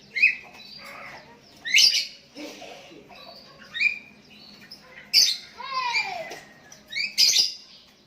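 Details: Sooty-headed bulbul calling to a rival decoy as other bulbuls reply; quick clear chirps and downward-sliding whistled notes, broken by sharp clicks, repeated irregularly about every second.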